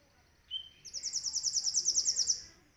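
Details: Captive sunbird singing a clear, long masteran song used for training other songbirds, its song filled with cililin phrases: a brief high whistle, then a fast run of bright, high, evenly pulsed trill notes lasting about a second and a half.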